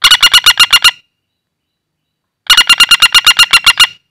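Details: Wild common flameback calling for bird luring: a rattle of seven fast, sharp notes, a silence of about a second and a half, then a longer rattle of about a dozen notes.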